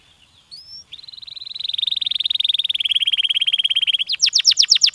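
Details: Stimulating song of a canary. Two brief high notes lead into a long, rapid, buzzy rolling trill at an even pitch. It ends with a quicker series of sharp, descending chip-like sweeps.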